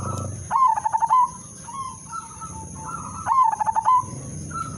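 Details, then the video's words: Zebra dove song used as a lure to draw other caged doves into singing: two bursts of quick, bubbling, stuttered coos followed by a soft drawn-out note, with faint intermediate cooing, constant high electrical whine and low rumble underneath. "perkutut/merbok udanmas silver irama merdu spesialis pancingan bikin semua perkutut ikut manggung"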